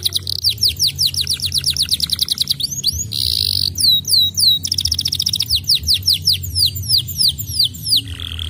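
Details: Canary song played to coax canaries that have stopped singing: fast runs of repeated descending whistled syllables, shifting into trills and a brief buzzy burst, with faint low background hum.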